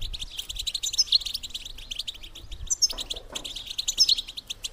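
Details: Female European goldfinch twittering, the bitbita used to stimulate males to mate; quick high chirps in three dense bursts, each carrying a sharp upward squeak.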